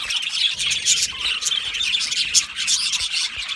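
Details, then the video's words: Australian budgie colony kept in an aviary, singing and chirping: crowded high-pitched twittering with a few sharper chirps standing out above the steady chatter. "Budgie colony sounds | Budgie singing and chirping sounds"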